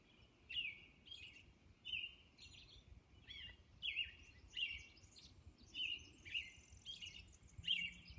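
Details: Robin caroling at daybreak on Orcas Island, repeating clear whistled phrases roughly every half second, each with a sharp high squeak, plus a short high trill later on over a quiet background.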